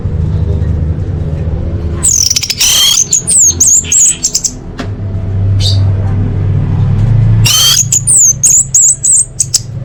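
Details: Orange-headed thrush song used as a lure for caged birds: two bursts of rapid, high, twisting whistled notes with a gap of low rumbling background noise between them.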